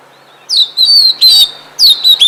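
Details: Oriental magpie-robin in a forest giving loud, clear whistled notes that slur downward, in short bursts separated by brief pauses, over a quiet background.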